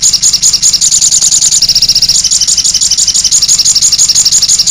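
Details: Sogon bird singing a 'cit anten' song: a steady, fast string of very high, thin chirps, about two per second, running without a break and sounding tight and metallic.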